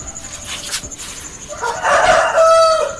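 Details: Rooster crow recorded at one of several places for a university animal physiology analysis; after a noisy start, a loud harsh crow rises and holds a strained tonal note before ending, over steady background hiss.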